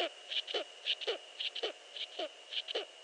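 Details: Eurasian eagle-owl recorded at 5.31 AM, 15 March 2013: brief descending notes repeated at a steady pace, about two per second, over a continuous high-pitched hum and faint clicks.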